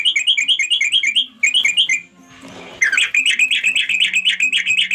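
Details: A sooty-headed bulbul calls its companions with a fast series of ringing, buzzy chatter notes. A short break filled with soft rustling noise follows, then a steady run of bright repeated notes resumes.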